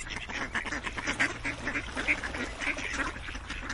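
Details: Several ducks quack in quick, uneven bursts, hoarse and nasal, a few louder calls rising above the crowd at intervals of about a second.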